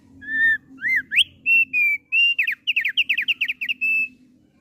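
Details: Song of a kept thick-billed heleia: level and arched clear whistles, then a fast series of steep downslurred notes, ending on a long steady whistle, over a soft low background hum.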